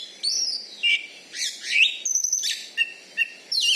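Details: Loud-voiced champion kacer, an Oriental magpie-robin kept in Bengkulu, Indonesia, with a fighting style called membalon; rapid sequence of clear whistled slides, buzzy notes and sharp chips, nearly continuous.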